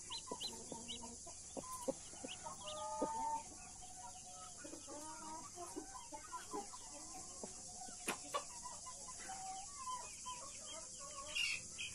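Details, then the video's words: Blue mother hen tending her baby chicks, australorp and Brahma; a run of low clucks and brief grunting notes, a few sharp clicks and occasional high chick cheeps over steady hiss. "Blue MOTHER HEN with her CUTE baby chickens"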